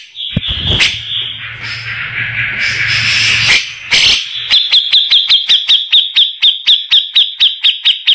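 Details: Rough-voiced grey-cheeked bulbul in a tutor recording for white-rumped shamas. A grating, rasping stretch with a low hum beneath gives way to a fast, even series of about sixteen short, sharp notes.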